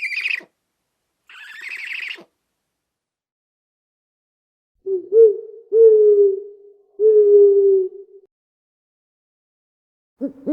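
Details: Owl giving three low, hollow, steady hoots in a row, each drawn out for about a second, preceded by two harsh, higher-pitched calls from another bird and ending with a brief low call.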